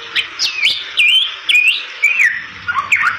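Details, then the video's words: Bali myna singing to draw in other Bali mynas; a chain of clear whistled notes that rise and then drop, each about half a second apart, with light clicks between. "Suara Merdu Jalak Bali Gacor Untuk Pancingan Burung Jalak Balimu"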